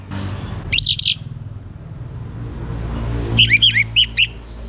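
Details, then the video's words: Young orange-headed thrush in song, used to encourage other birds to sing: a pair of bright high notes, a long gap, then a fast series of five or six slurred whistles, with steady low background hum. "ANIS MERAH Muda Gacor Untuk Pemancing Burung Berani Berkicau"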